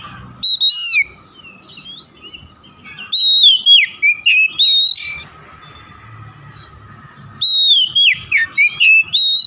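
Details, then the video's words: Oriental magpie-robin lure song meant to prompt other magpie-robins into song. Rapid, varied whistles and swooping chirps pour out in two energetic bursts with a quieter spell between them and a faint hum behind. "SUARA PANCINGAN BURUNG KACER AGAR BUNYI DAN GACOR"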